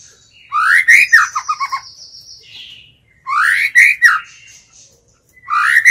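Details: White-rumped shama used as a decoy to draw in and provoke wild birds. Powerful swooping whistled phrases repeat roughly every three seconds, the first trailing into quick clipped notes and a thin high buzz.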